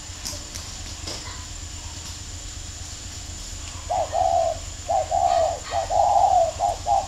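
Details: Two spotted dove decoy birds fighting: after a few quiet seconds, a run of low, hollow coos in short bursts, repeated about once a second, over a steady low hum.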